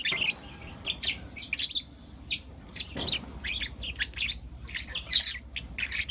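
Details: Young lutino lovebirds, four in all, chirping in the morning: scattered sharp, high squeaky chirps and short twitters, irregular in timing, over a quiet low hum.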